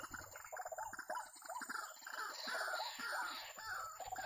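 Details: Trapping scene with a white-breasted waterhen producing a chain of rough, bouncing notes, each with a ringing overtone, building into a fuller, louder chorus midway through.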